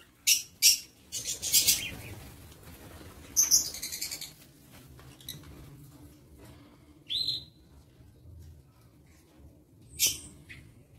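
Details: Lovebirds in an aviary, recorded 22 August 2023: shrill, high chirps in short bursts, a cluster early, then scattered single calls with quiet gaps between them, over a faint low background hum.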